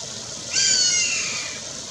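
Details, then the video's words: Harsh screaming call of a Black caracara, recorded in May 2021 at Pousada Jardim da Amazônia, São José do Rio Claro, Mato Grosso, Brazil: a single rasping, slightly falling note lasting about one second, with light ambient noise. "Gavião-de-anta (Daptrius ater) vocalizando"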